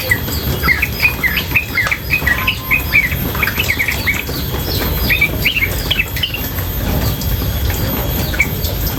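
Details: Chatty female yellow-vented bulbul pours out dense, hurried strings of sharp, slurred chirps and squeaky notes, nearly without pause, against a constant wash of flowing water.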